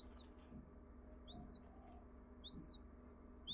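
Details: Newly hatched quail chick in India giving thin, high peeping calls, each a short arched whistle, about three across a few seconds with quiet gaps and faint low background hum.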